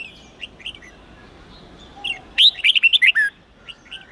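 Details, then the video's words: Red-whiskered bulbul song in the wild-standard 8-9-10 note style, used for training young birds: faint scattered whistles, then a loud burst of about six quick, bright, rising-and-falling whistled notes near the end. "Luyện Chào Mào Hót Giọng 8-9-10 Ép Chim Non Học Giọng Chuẩn Rừng"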